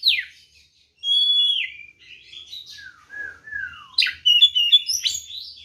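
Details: White-rumped shama (kacer) delivering provocative fighting song, ngeplong tarung style: a steep downward whistle, clear level whistled phrases, descending slurred notes, then a burst of rapid varied chips and whistles.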